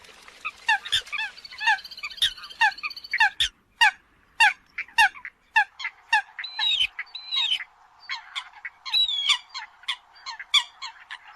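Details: Eurasian coot calls for the new migration season: a rapid series of short, nasal, harmonic notes, several birds overlapping, some rising and bending, about two per second over eleven seconds, with no low sounds beneath.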